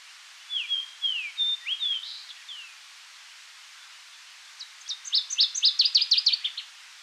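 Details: Fox Sparrow in the Seal River Watershed, Manitoba boreal forest breeding area, sings a rich whistled song of slurred rising and falling notes likened to R2-D2, then after a pause a faster burst of bright, sharply repeated notes.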